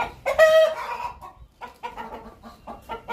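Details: Hen making a strange sound before laying an egg: one long, loud, harmonic squawk opens, followed by a run of softer, quick clucks.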